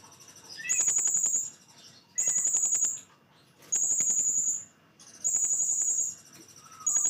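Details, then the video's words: Blue-crowned hanging parrot singing in full 'nembak' style: shrill, buzzy high trills in bursts just under a second long, each separated by a short pause, with faint lower chirps between them. "srindit full nembak"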